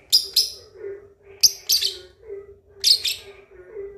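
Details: Juvenile lovebird aged two and a half months trying out the ngekek chatter used for provoking rivals; paired shrill, grating chirps come in short groups roughly every second and a half, with a faint steady hum underneath.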